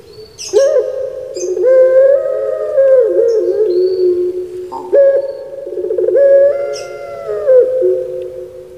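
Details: Caged pelung turtle dove of Java, Indonesia, giving three long rolling coo phrases, each opening with a short throaty catch, then a deep, humming note held, stepped higher and slowly lowered.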